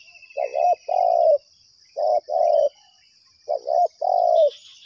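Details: Spotted dove responding to a lure at one of two trapping spots: three rounded coo phrases, each a quick double note leading into a longer falling coo, about 1.5 seconds apart, under a continuous high insect whine.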